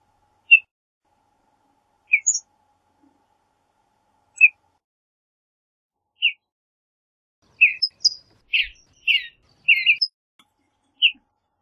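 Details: Western bluebird singing and calling: soft short chirps around the middle pitch, spaced every two seconds at first, then a quicker cluster of burry, descending notes near the end, one more chirp closing; clean, quiet background.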